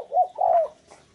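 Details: Spotted dove kept as a decoy to lure wild doves: a short, low, soft two-part coo, the second note longer and slightly falling.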